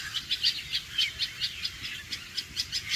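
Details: Red-vented bulbul; alarm call; alarm, warning of danger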